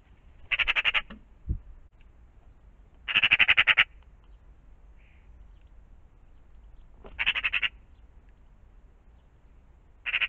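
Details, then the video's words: Morning magpie near a pond: three harsh, rattling chatters of quick repeated notes, each about half a second, spaced several seconds apart over quiet low background hum. "Magpies in the morning"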